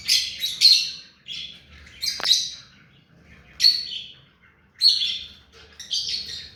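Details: Hand-tame ringneck parakeet repeating sharp, high screechy chirps about once a second, each a quick bright burst, with a tap-like click among them.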